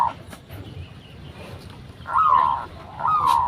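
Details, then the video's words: Local zebra dove recorded as a lure to draw replies from other zebra doves. Two clear, gently falling coos arrive late, after a stretch of faint background hiss and scattered clicks. "Perkutut Lokal Gacor RAJA PIKAT Ahlinya Bikin Semua Burung Perkutut Pada Nyaut"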